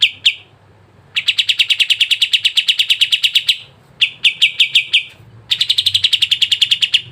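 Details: Sooty-headed bulbul lure for caged birds: a single short note, then three separate bursts of rapid, high, rattling notes divided by brief silences.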